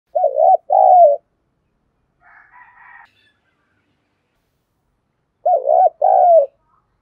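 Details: Decoy spotted dove calling to lure wild doves: two low, husky cooing phrases, one at the start and one near the end, each a quick wavering coo then a longer falling note, with a faint higher murmur between them.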